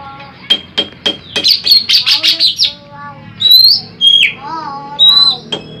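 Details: Greater green leafbird, a big jumbo bird, singing a master song for bird luring: quick ticking notes, a run of rapid chirps, then loud clear whistled phrases bending down and up.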